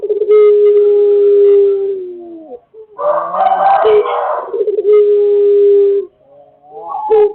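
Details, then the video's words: Lure recording of a Pelung chicken: a long sustained crow lasting about two seconds, a rougher, noisier burst in the middle, then another long, even crow and a rising final note. "Pancingan bunyi burung pelung gacor"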